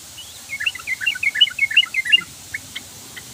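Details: Sooty-headed bulbul song: a quick burst of short, bubbly whistled notes tumbling up and down, densely packed for about two seconds, then a few scattered chirps.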